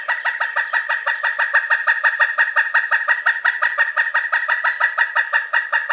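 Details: Sustained rapid calling by a pileated woodpecker: loud, harsh kuk notes repeated about three times a second, unbroken and even for six seconds.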